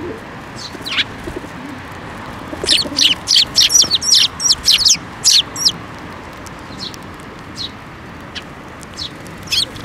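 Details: Begging Eurasian tree sparrows gathering for food at a Tenmangū shrine on 7 May 2024, the first fledgling of the year among them; a loud burst of rapid, sharp chirps runs about three seconds, with scattered softer chirps before and after.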